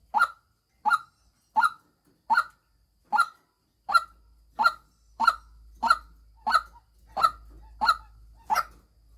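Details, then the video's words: Harsh repeated croaks from a female white-breasted waterhen used as a decoy, twelve evenly spaced notes, with a low hum joining in the background during the second half. "tiếng chim quốc mồi mái"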